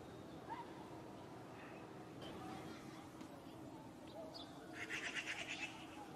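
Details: Eurasian magpie in a courtyard, one of a spring pair harassing a cat, bursts into a loud harsh rattle of about seven fast grating notes near the end, after quieter bird calls and over a steady hum.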